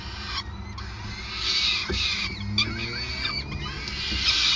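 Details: Peregrine falcon at a nest in Groningen on 5 May 2020, calling during feeding; high squealing calls with a low rumbling hum throughout.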